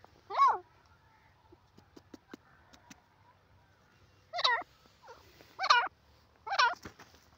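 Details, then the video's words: Jungle-dwelling grey francolin, or jungli teetar: one harsh, sweeping note, a gap with scattered faint clicks, then three more rough harmonic notes in close succession. "jungli teeter ki voice,grey partridge in ajungle awaaz"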